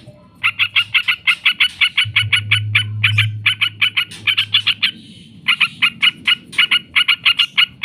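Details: Yellow-vented bulbul lure recording for training birds, long fast runs of harsh, throaty chattering notes repeated steadily, a short break, then the chatter starts again; a low hum runs underneath.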